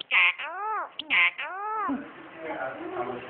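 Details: A clever pet common myna imitates speech, apparently saying "salam" while being prompted, in two bright, nasal, word-like bursts about a second apart, each trailing into an arching tone, then softer muttering.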